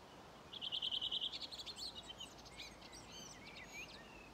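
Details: A Redwing sings its dialect song along Ljustorpsån at the gravel pit, Timrå, Sweden, on 5 June 2023. A quick run of about eight clear, even notes breaks into a soft, scratchy thrush twitter, over faint hiss.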